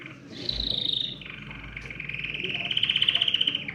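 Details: Singing canary, its song intended to stimulate other birds to sing: a high whistled phrase leads into steady rolling trills that grow louder and rise slightly near the close.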